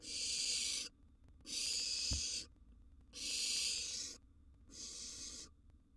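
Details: At mealtime over a sizeable gerbil, a wild barn owl nestling in a nest box repeats four breathy, hissing screeches of about a second each, evenly spaced, with one soft knock.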